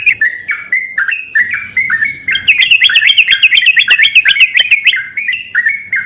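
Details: Several yellow-vented bulbuls calling back and forth in lively song, with short gurgling whistled phrases repeated almost three times a second. Halfway through they break into a fast, crowded burst of bubbly notes.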